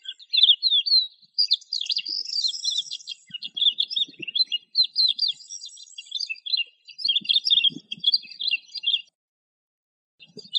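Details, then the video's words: A Eurasian skylark pours out a long, fast, unbroken warble of high chirps, trills and slurred whistles, pausing briefly near the end before resuming. "تغريد طائر قبرة الحقول(القوبع) Chant de Alouette des champs"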